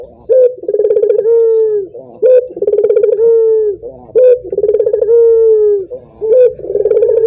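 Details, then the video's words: Repeated collared dove call meant to get other doves going: a clipped rising note, then a bubbling run of pulses sliding into a long, softly falling coo, roughly every two seconds. "Suara burung puter ini membuat puter anda ikut gacor"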